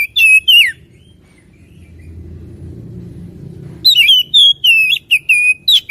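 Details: Oriental magpie-robin singing vigorously: rich whistled phrases with sliding, warbling notes open the recording, then a pause filled by low rumble, then a fast run of loud, clear whistles repeated several times a second.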